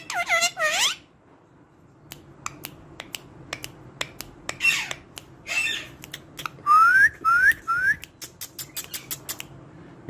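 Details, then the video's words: Talking parrot gives a harmonic drawn call, scattered clicks and squawks, then three clear rising whistles about half a second apart, followed by rapid ticking sounds. "parrot talking sweet and clearaly"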